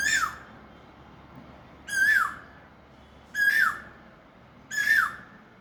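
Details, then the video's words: Asian koel perched in a mango tree on Pohela Falgun, the first day of spring, heard from a balcony: four loud, clear whistled notes bending downward at the end, repeated about every one and a half seconds over faint low hum. "আম গাছে বসে ডাকতেছে কোকিলটা। বসন্ত কোকিল,"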